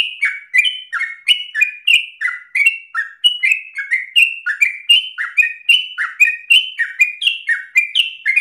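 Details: Yellow-vented bulbul singing ropel style, with fast, continuous chattering made of down-slurred notes in rapid succession, lively and insistent throughout.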